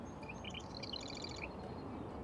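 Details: A marsh wren hidden deep in a thick marsh sings a quick, high, rattling burst of stuttered notes lasting just over a second, over a steady low rumble of background noise.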